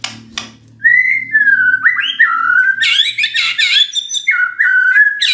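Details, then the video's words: Magpie-robin song used to make a quiet bird answer: sustained whistled phrases mixed with harsh, buzzy, rich notes in a continuous loud stream, with a low hum at the start. "murai BENGONG langsung NYAUT dengar pancingan ini"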